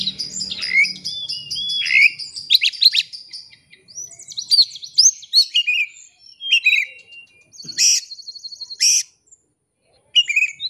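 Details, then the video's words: Oriental magpie-robin singing as a lure to draw out a rival's full song: high chirps and slurred whistles in spaced bursts, with harsh buzzy notes near the end and a silent gap before the last phrase. "kacer ngeplay cari lawan. pancingan kacer agar bongkar isian."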